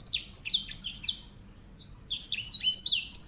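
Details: Two bursts of grey singing finch song, each a tumble of high, sharp downslurred whistles, separated by a short pause of about a second.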